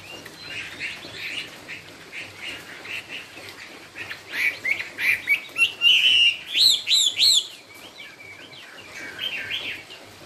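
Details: Chinese hwamei, 'cao cầu' song style: soft, scattered whistled notes build into a loud burst of rapid, looping rising and falling phrases, then fade back to quieter notes.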